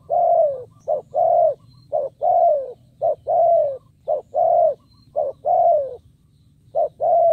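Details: Spotted dove, a caged decoy bird, calling to lure wild doves in rural Vietnam; loud repeated coos, each a short note followed by a longer descending coo, phrases about every second, with low steady hum beneath.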